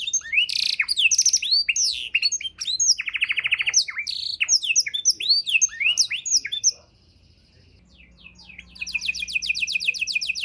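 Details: Canary singing a rich tutor song for songbirds: dense rapid whistles and rattling trills for several seconds, near silence, then a high fast trill of repeated notes resumes.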